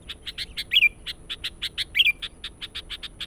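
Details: Sooty-headed bulbul calling to lure wild birds, a fast steady stream of sharp chirps about every tenth of a second, with two brief gurgling warbles inserted.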